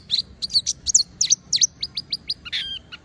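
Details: Oriental white-eye, or pleci, in continuous song to trigger singing in other white-eyes: a quick string of high chirps and trills, several notes per second, ending in a brief buzzy note.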